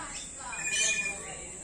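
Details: Common hill myna at Jamshedpur Zoo after lockdown imitating human speech with one loud, harmonic squawk-like word that swells and fades, backed by a steady high insect whine.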